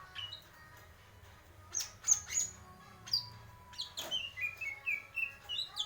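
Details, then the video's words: Greater green leafbird singing a varied series of clear whistled and chirping notes, some sliding down, delivered in quick bursts with short pauses, with faint low background hum throughout. "cucak ijo purwo mendem gadong"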